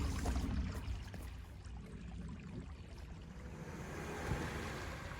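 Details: A low rumbling, water-like background noise with faint rustles and no clear animal voice.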